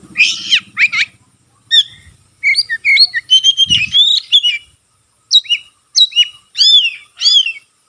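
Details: White-rumped shama spreading its tail as it sings, a song meant to rouse other shamas: bursts of bright whistled and chirping phrases separated by short silences, with a low thump partway through.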